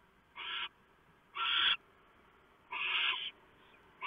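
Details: Barn owls at a nest box at night on 3 November 2015, where the male has brought a large mouse and the female tears it up to feed the owlets. Rough, breathy screeches, each lasting under a second, repeat at uneven intervals.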